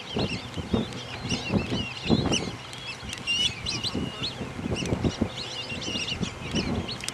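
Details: Flocks of black-bellied whistling ducks flying and crisscrossing at STA-1W, West Palm Beach, Florida, give many overlapping high, squealing whistles, with low thumps of wind and handling noise underneath.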